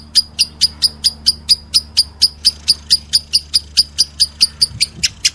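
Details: Regular, sharp, high-pitched chirps from a lovebird, about four each second, repeated evenly for several seconds against a faint low background hum.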